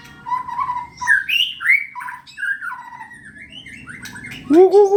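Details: White-rumped shama kept caged for contests, singing mellow slurred whistles and varied phrases, ending with loud low rising notes.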